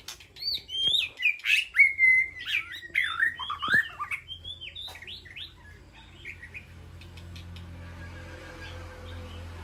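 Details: In an aviary, a White-rumped shama calls to its flock with a loud tumbling run of varied whistles and sweeping chips, fading into quieter twitters and then steady low background hum.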